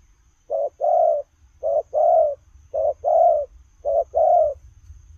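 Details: Spotted dove, cooing on the run: four evenly spaced pairs of soft low coos, a clipped note leading into a fuller drawn-out one, with little else audible.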